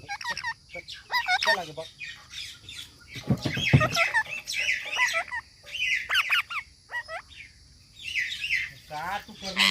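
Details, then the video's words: Talking parrot with harsh squawks and bent, wavering whistled calls in short bursts, plus a few speech-like syllables; a noisy, broadband burst near the middle and a human voice follows. "Parrot talking videos"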